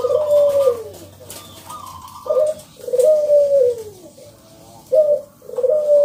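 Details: Local zebra dove's loud lure song to set other doves singing, heard as long, low, gently falling coos, each a second or more, separated by brief higher notes and pauses.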